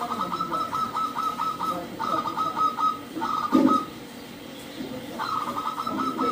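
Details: Local zebra dove sung to draw other doves into song: quick runs of short staccato notes at a steady higher pitch, heard in two bursts over a hissy, noisy background.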